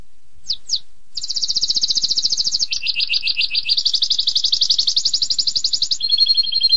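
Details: Canary singing in the tembakan pedas style, long-duration: two short high chips, then extended rapid buzzy trills that switch pitch several times, dropping lower near the end.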